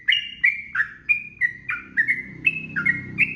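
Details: A short burst of whistled sooty-headed bulbul song for training birds to sing: bright two-tone notes, some swooping downward, repeated rapidly over noticeable low-pitched background noise.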